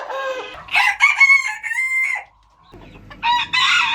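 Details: Rooster crowing in clipped segments: a harsh, harmonic-rich crow that rises then holds a long flat tone before dropping, followed after a short quiet gap by another loud, strained crow.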